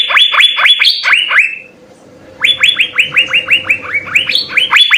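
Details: Gacor-style Asian fairy-bluebird song with full isian: bursts of fast, rising whistles, some notes jumping higher, break off into a brief quiet hum, then resume as an even run of upswept whistles.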